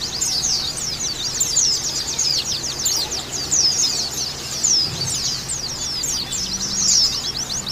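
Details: Female white-eye calling, meant to boost breeding drive in other white-eyes: sustained high, rapid, overlapping downslurred notes forming a busy twitter, with a faint low hum beneath.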